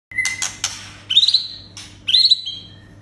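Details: White-rumped shama song meant to raise aggression in captive birds: harsh buzzy bursts followed by two high, slightly rising whistled trills, over a steady low electrical hum.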